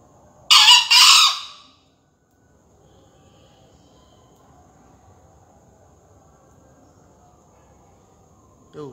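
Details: Young green junglefowl rooster crowing in a contest final, Surabaya, 28 February 2020 at 5 a.m. dawn: one short, harsh, high crow in two quick bursts, then several seconds of near-silence over low hum.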